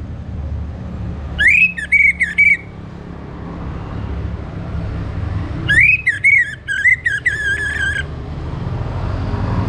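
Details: Morning song of an orange-headed thrush, played to stimulate birds to sing, in two rich whistled phrases of rapid up-and-down notes separated by about three seconds of quiet hum.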